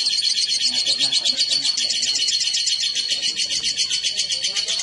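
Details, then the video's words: Male and female lovebirds placed together, giving a steady, rapid flow of shrill chirps and twittering squeaks, closely spaced and rhythmic throughout, with faint low murmurs beneath. "Kicau burung//Jika raja dan ratu di pertemukan"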